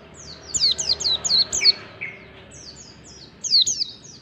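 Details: Mountain white-eye of the ngalas type producing a short flurry of high, descending whistled notes, a brief lower chirp, a quiet gap, then a few more thin whistles.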